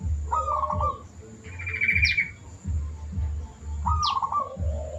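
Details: Zebra dove in full song, played as a master recording for training birds: rolling trilled coos repeated twice, with a brief buzzy higher trill and a sharp squeak between, over low rhythmic thumping.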